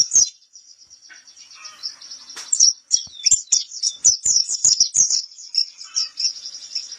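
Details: Training-recording song of a white-eye: a soft high twitter builds into quick, bright chirping bursts, mixed with sharp clicking sounds, then settles back to a steady thin warble.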